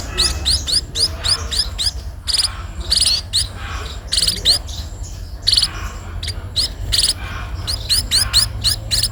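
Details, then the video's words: While being fed, a sparrow keeps up fast, high-pitched chirps that flick upward, delivered in long eager strings with brief breaks, over a steady low hum. "burung pipit diberi makan"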